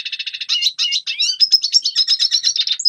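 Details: Red siskin song used for training young birds to sing: rapid high twittering, fast trilled notes running into buzzy and whistled phrases with rising slurs, continuous and clean without other sounds.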